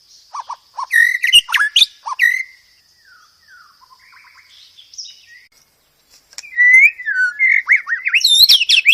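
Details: White-rumped shama song for teaching caged birds varied phrases: quick twisting whistles and chirps, a soft pause of faint descending notes, then a louder run of rapid looping whistles.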